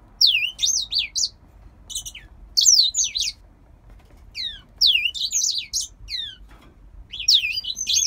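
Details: Captive grey singer finch, a bird from Poland kept by a breeder, singing in bursts of fast, high, slurred whistles that swoop up and down, with phrases roughly every one to two seconds over a quiet low hum.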